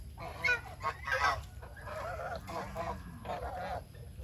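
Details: Domestic geese being raised naturally, honking as they feed: uneven, raspy honks about once a second, some louder and brighter than others, with a constant low hum underneath.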